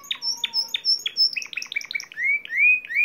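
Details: Timbrado canary of the discontinuous song type, singing a varied phrase: a few sharp repeated notes, a fast series of high chirps, then sweeping whistled rising notes, clear and loud with no other sounds.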